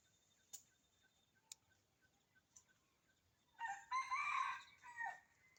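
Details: Red junglefowl calling on a cold, dark winter morning from forest beside a house, two or three birds answering one another; a loud, hoarse, broken crow swells after three seconds of quiet ticking and faint chirps.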